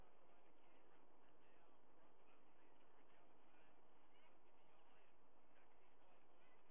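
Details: White-bellied sea eagle pair at their nest feeding two eaglets after a live fish delivery, August 2022, captured on a nest camera: bursts of coarse, goose-like honks repeated in short runs over steady background noise.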